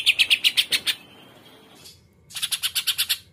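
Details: Greater green leafbird (cucak ijo) with 'muntah isian kapas tembak putar' singing: a burst of seven loud, rapid, ringing notes, a second of near silence, then another fast series of bright repeated notes.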